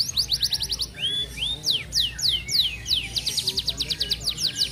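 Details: Fast 'speed rapat' song from a regionally successful F1 canary close to moult: quick staccato trills, two clear rising whistles, descending swoops, then rapid ringing trills again.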